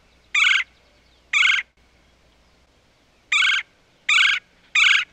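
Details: Woodpecker calling while cutting into a tree trunk: five harsh, buzzy, broadband calls, each about a quarter-second long, given at irregular intervals of one to two seconds against a quiet background.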